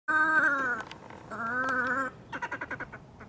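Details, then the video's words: A red-necked grebe gives two drawn-out, nasal wails that sag slightly in pitch, then a quick chattering burst of about eight short notes. "Red Necked Grebe calling"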